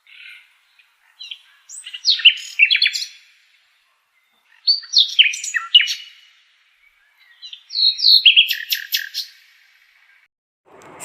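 A nightingale sings three bursts of rapid, varied notes, high chirps, buzzes and short trills, each lasting two to three seconds with brief pauses between.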